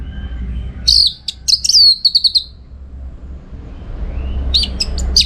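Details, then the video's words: Orange-headed thrush singing as a master for training contest birds: warbling whistled phrases end in a fast string of repeated short notes, then a brief, quieter series of notes returns. "Tingkat Tinggi Masteran ANIS MERAH Gacor Untuk Melatih Mental Burung Untuk Gantangan"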